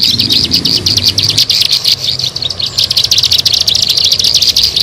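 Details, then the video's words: A bar-winged prinia repeats rapid shrill chirps in a steady stream, a brief lull midway before the quick chatter resumes; recorded for luring birds. "SUARA MP3 PIKAT BURUNG CIBLEK SAWAH"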